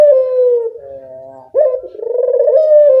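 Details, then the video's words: Kept Barbary dove, a keen caller used to coax lazy doves: the tail of one coo falling away, a soft low murmur, then a sharp catch and another long rolling coo. "Masteran burung puter gacor, mengatasi burung puter malas bunyi"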